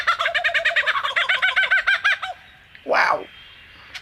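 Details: Singing male superb lyrebird in Australia, flitting between trees: a fast, steady train of about eight rolling, harmonic-rich notes per second for two seconds, then a short harsh broadband burst.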